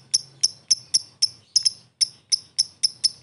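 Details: Ngetik ticking from a fighter lovebird, played as a lure to draw a fast reply: crisp, high, hard ticks repeated about three times a second, one doubled, steady and clean.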